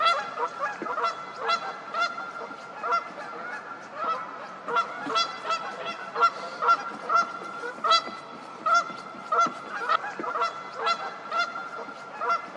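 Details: Several Canada geese honk loudly during a fight, a continuous run of harsh, nasal, evenly spaced honks overlapping one another throughout, with no other clear sounds.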